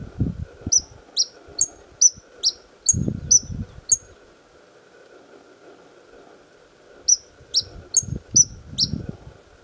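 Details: At Chapada Imperial in Brazil's Federal District, a white-vented violetear sings from its perch defending its flowers: eight rapid thin chips, three seconds of quiet, then five more, with soft low thuds in the background.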